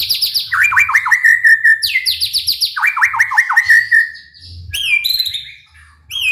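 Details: Rapid-fire 'tembakan' bursts in a white-rumped shama's 'gacor' song, meant to provoke other shamas into song: repeated series of falling sweeps trailing into level whistles, then pauses broken by short looping high notes.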